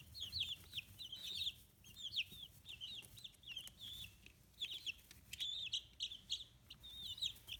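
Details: Young chicks, fifteen days old, kept free-range in Hiroshima, Japan; clusters of shrill downward-sliding peeps in quick bursts separated by brief pauses, with faint clicks and low background hum.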